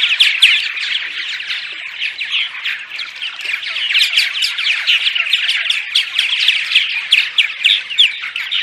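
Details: Many purple martins chattering by day: rapid, crowded chirps and guttural gurgles, roughly four notes a second, rising in intensity toward the end, played to attract migrating martins to nest houses.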